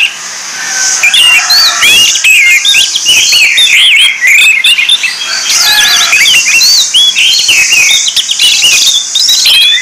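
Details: Orange-headed thrush song used as a lure for other thrushes: a nonstop run of bright, varied whistled phrases, rising and falling quickly, dense enough to suggest several overlapping singers.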